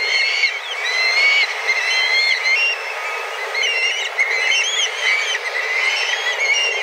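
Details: Large group of black kites, tens of birds flying about and calling intensely while seeking food at their usual daily time; overlapping piercing whistles with quavering, looping inflections, some slurring upward, forming a constant high-pitched clamour.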